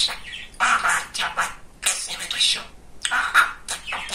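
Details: Talkative male budgerigar speaking: short bursts of raspy, speech-like chatter with scratchy, buzzy syllables in broken phrases, separated by brief pauses.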